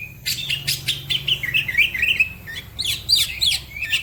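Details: Green leafbird singing vigorously, with other birds said to join in: a fast stream of varied chirps, short whistles and slurred notes in a high register, some rising and some falling, in quick irregular bursts with a faint low hum beneath.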